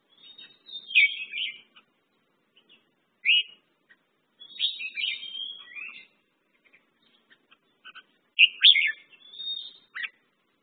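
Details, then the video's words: Red-whiskered bulbul (merbah jambul) singing several brief warbled phrases of bright, slurred whistles separated by short silences, in a clean quiet setting. "red whiskered bulbul/ merbah jambul"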